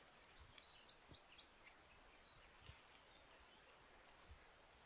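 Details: Little grebe (Tachybaptus ruficollis) in winter at the Rouxique lagoons, Galicia, gives a quick run of four or five thin, high, squeaky notes in about a second, then falls silent against faint outdoor ambient noise.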